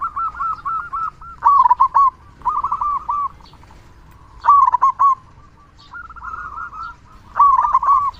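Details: Zebra dove of a local Indonesian strain, a loud and constant singer, its song meant to make quiet doves start singing. Bursts of rapid, bubbling coo notes come every second or two, some phrases louder and overlapping.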